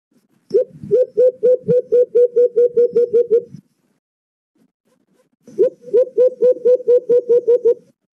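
White-eared Brown Dove giving two bursts of low, hollow hoots, about a dozen evenly spaced notes each, separated by a few seconds of silence.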